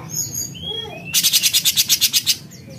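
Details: Raspy besetan song of an actively singing cucak cungkok bulbul: one harsh, buzzy rattle of about ten quick pulses lasting over a second, after thin whistled notes from other birds.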